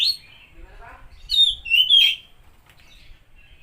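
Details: Oriental magpie-robin, called kacer, singing to spur a stressed or silent bird: a brief whistle, soft twitter, then two loud sliding whistled notes followed by quiet.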